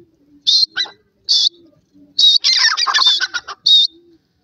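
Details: Francolin giving loud, shrill, high calls in quick repeated bursts, then a dense harsh rattling phrase, with faint low cooing from doves between the calls.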